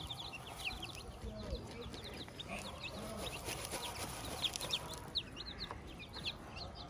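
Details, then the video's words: Chicks with their mother hen on a farm, peeping in quick high thin notes, faint against steady background noise, with a few low hen murmurs. "Hilda the hen with her chicks"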